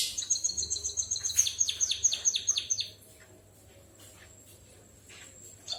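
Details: White-headed munia in full song, mimicking a canary, delivers a rapid series of about a dozen high, down-slurred notes over three seconds, then falls silent apart from a faint steady hum.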